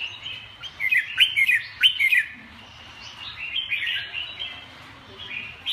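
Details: Red-whiskered bulbul: two loud clusters of sharp, slurred whistles early on, then a softer, rambling warble continuing to the end, with a low background hum.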